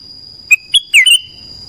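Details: A black-crested bulbul in the morning gives a brief whistled phrase: a short note, a rising note, then a louder, twisting whistle that trails off. A continuous high-pitched whine sounds in the background.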